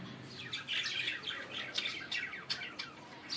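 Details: Budgerigars singing in the morning: a steady stream of bright, high chirps and warbled squawks from several birds, overlapping with short sharp notes.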